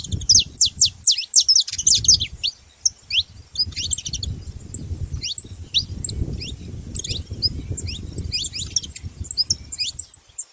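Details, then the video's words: Saffron finches noisily calling as a group, dense clusters of sharp, high downward-swept chirps overlapping in irregular bursts, over a steady low rumble of background noise. "Canário da terra junto fazendo barulho"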